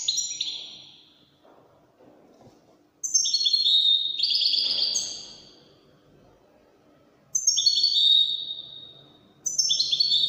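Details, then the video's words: European goldfinch of the Moroccan Widani type singing Widani-style song: bright, tinkling high notes in short bursts separated by quiet pauses, each phrase starting with a sharp upper note and sliding down into a rapid twitter. "الحسون الويداني الملك الذي يستحق استماع وتمتع في ادائه في التغاريد الويدانية المغربية"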